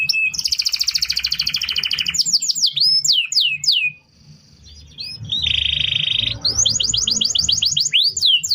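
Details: Canary song used to train other birds, with a fast rolling trill, swooping whistles, a quiet pause, a buzzy steady phrase and a final run of quick descending notes.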